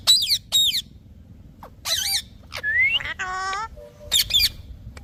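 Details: Green parrot calling with sharp, grating screeches in short bursts, then a drawn-out nasal note with a stepped, rising tone before more harsh squawks.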